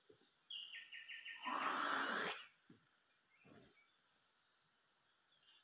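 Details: White-rumped shama, used as a decoy bird, giving a short run of clear whistled notes stepping down in pitch in quick even steps, then masked by a loud burst of broad rustling noise. Faint knocks and a quiet rural background follow.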